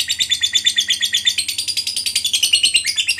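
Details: Lovebird in long 'ngekek' chattering song, used to prompt other lovebirds to sing: a dense, continuous stream of harsh high chirps repeated very rapidly and evenly, indoors.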